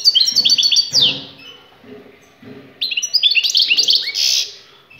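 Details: Goldfinch song: two rapid runs of sweet, jangling twittered notes, each lasting about a second or more, the second ending in a rising slurred whistle, over quiet low background noise.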